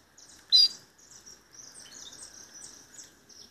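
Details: Belgian canary kept by a bird lover from Sombrio, SC, singing a run of short, high, chirping and twittering notes in quick succession after one loud sharp note, with a faint steady background hum.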